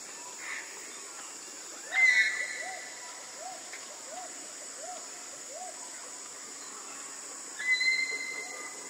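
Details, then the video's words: Tanimbar eclectus (Eclectus riedeli) gives two harsh, high, grating, ear-splitting screeches about six seconds apart, with a soft arched note repeating about every half-second between them over a steady insect hiss. "Nuri bayan Tanimbar, suara teriakan bernada tinggi yang memekakkan telinga."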